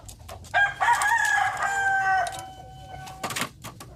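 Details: Village rooster giving one crow of about two seconds, a steady tonal call that fades out, followed by short sharp knocks and clatter.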